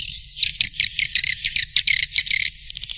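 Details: Black Panther swiftlet lure for the central area of a nesting building: a steady run of quick, bright, high-pitched chirps and twitters packed closely together, over a faint low background rumble.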